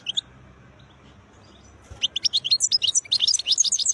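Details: European goldfinch, called khlawi (wild), singing beautiful notes: a couple of early chips, then a continuous rapid stream of high, tinkling, twittered notes for two seconds, rising and falling in quick succession.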